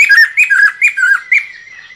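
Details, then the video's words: Lesser necklaced laughingthrush singing, a song used to lure birds for trapping: four loud whistled phrases, each a rising then falling note, coming about every half second and fading at the end. "Khướu cổ khoang hót để bẫy"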